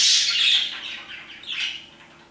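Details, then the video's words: Parakeets at around 2pm. A loud, harsh squawk slides downward and fades, followed after a short gap by a second, softer scratchy note that dies away. "Parakeets chirping and singing their hearts out"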